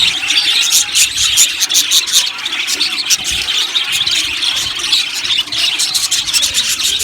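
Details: Budgerigars in an aviary colony keep up a loud, unbroken chorus of shrill chirps, squeals and ticking chatter, many birds calling at once.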